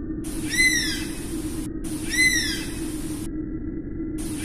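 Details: Oriental honey buzzard calling twice, plaintive whistles that arch up and slide downward, about one and a half seconds apart, the start of a third at the end, over a low steady drone.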